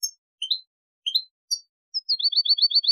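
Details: European goldfinch song from a tutoring recording for young birds and hybrids: clear high chirps, several rising two-part notes, then a fast even trill of repeated zigzag notes.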